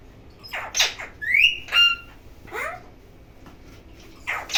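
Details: A parrot calling: harsh, scratchy squawks, a rising whistled note, and a short downward slurred call, spaced irregularly over a few seconds with quiet gaps.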